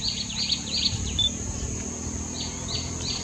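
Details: A White-naped tit gives short, high chipping notes in quick bursts, with a brief thin whistle, while boldly foraging for caterpillars in Acacia in India, over steady low rumbling background noise.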